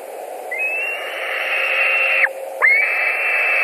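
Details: Latvian white-tailed eagle nest, July 2020 evening, with a bird back for dinner: a long thin whistle held steady, a short break, then a second sharp-onset whistle carrying on to the end.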